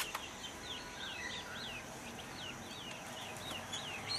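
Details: Rufous-throated partridge calling: a steady run of short, curved whistled notes that rise and fall, repeated roughly three times a second over a constant background hiss.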